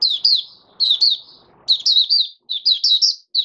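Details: Oriental white-eye, known locally as Mata Puteh Raja, singing openly five days after monthly deworming, 20 January 2022. Quick bursts of three to five thin, high, slurred chirps are separated by brief pauses.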